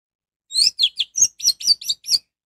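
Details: Orange-headed thrush song used to provoke others of its kind to sing: eight high, evenly spaced whistled notes, some slurring downward, delivered in a brisk, steady rhythm.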